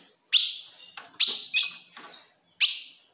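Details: Ultramarine grosbeak female-type call, known as fogo de fêmea, used to provoke a male: five sharp, bright chip notes, each a quick downward flick, spaced irregularly over three seconds with short tails.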